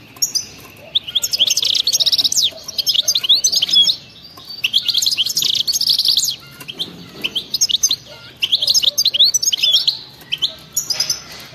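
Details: European goldfinch, wild-type 'batbata' song: several long phrases of fast, high, tinkling twitter and buzzy notes, with short quiet breaks and scattered chips between phrases.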